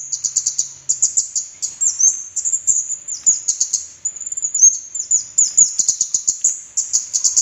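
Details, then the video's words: Orange-headed thrush lure song meant to prompt silent birds to sing: continuous high chattering with quick trills and short downslurred whistles, almost without pause for over seven seconds. "SUARA PANCINGAN BURUNG KEMADE KEPALA MERAH"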